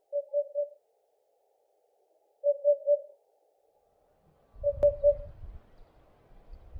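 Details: A Eurasian hoopoe flying to its nest to feed its young; low, soft, hollow 'oop-oop-oop' triplets repeat about every two seconds, with a brief low rumble of wind near the end.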